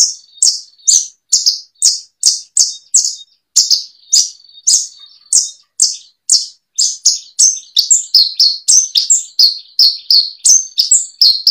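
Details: Bushlark song for tutoring caged birds: long sequence of sharp high chirps at a steady pace that speeds into closely packed varied notes toward the end, over a faint constant whistle.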